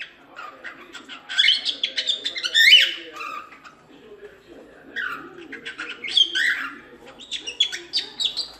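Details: Cockatiel song used as training to teach chicks to sing: two bursts of warbling, chattering phrases with bright whistled notes and scratchy, clicking sounds, separated by a quieter stretch of soft chatter.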